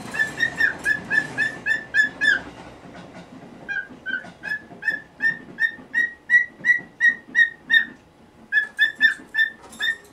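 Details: Pet cockatiel, now in its nineteenth year, calling noisily in the morning for its cage cover to be removed. Long series of rhythmic, shrill squawks, about three a second, with rustling and room noise beneath.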